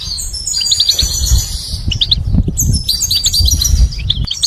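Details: Dense goldfinch song of continuous high twittering, rapid chirps and drawn-out thin whistles layered almost without pause, over a strong low background rumble.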